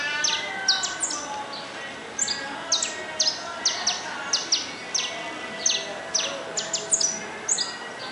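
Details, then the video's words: Wild saffron finch (canário-da-terra) singing in nature: a steady series of short, bright, high downslurred chips, repeated roughly every half second with brief pauses, over a soft, constant background hiss. "CANÁRIO DA TERRA NA NATUREZA"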